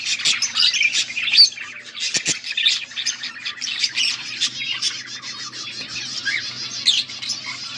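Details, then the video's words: Several pet budgerigars chirping and chattering together, recorded August 14, 2024; dense overlapping warbles, squeaks and sharp chirps fill the clip continuously, with a faint low hum underneath. "Budgies sounds for lonely birds birds chirping sounds"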